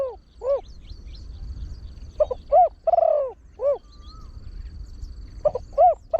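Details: Deep-voiced trained spotted dove, sung as a lure so wild birds join quickly, with a single tossed 'kuk'. Low rounded hoots, a long descending coo, then the phrase starting again near the end, over a thin high tone.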